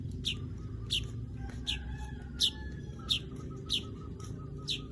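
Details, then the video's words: Weaver's high chirps repeated every half to three-quarters of a second, sharp and clipped, over low background rumble and a faint steady tone. "Crecet .. Cret ..!! SUARA PANGGILAN BURUNG MANYAR"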